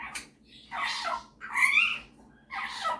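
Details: A pet male superb parrot (Polytelis swainsonii), out of its cage indoors, shows off its singing and mimicry while being prompted to sing Jingle Bells. It gives three raspy, warbling bursts about a second apart, rich and bright with a squawky edge.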